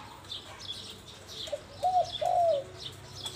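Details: Spotted dove in the Mongkhon Liu Tan song style: a single phrase of two low coos, the second longer and gently falling, with faint high chirps from other birds around it.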